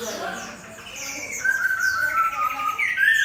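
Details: Competition Chinese hwamei in a cage beside a fighting bird, tail fanned and held open; soft opening, then louder bright whistles, long sliding notes and quick high flourishes.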